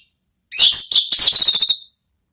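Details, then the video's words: Orange-headed thrush in 'ngeplong' song used as a lure and therapy sound; a single loud, continuous run of fast, high, scratchy and whistled notes lasting about a second and a half. "belajar NGEPLONG cocok untuk MEMANCING ANIS MERAH supaya ikut NYAUT ¦ KICAUAN TERAPI"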